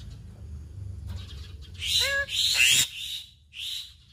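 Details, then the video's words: Black-winged myna, a skilled mimic of other birds, singing in a full, mimicry-rich chattering style: a short stack of rising whistled notes, then loud harsh buzzy bursts and a final rasp over a low background hum. "Jalak Putih Gacor Full Isian"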